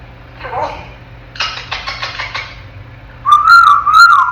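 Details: A 10-month-old African grey parrot in its crib mutters softly, then rattles off a fast run of dry chattering syllables, and finishes with a loud, wavering two-part whistle.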